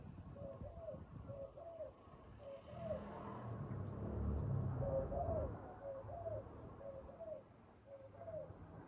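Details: Spotted dove calling while used to lure doves into a trap, short hooting coos in two runs with a loud low rumble in the middle.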